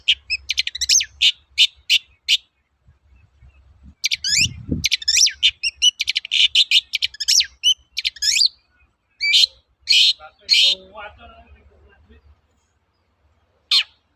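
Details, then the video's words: Long-tailed shrike lure song for training birds, 'toet-toet' style: stretches of rapid, high chattering and slurred notes broken by pauses, with a brief low thump, then sparse separate notes fading into silence. "BURUNG CENDET GACOR TOET-TOET, PANCINGAN AMPUH SAAT INI"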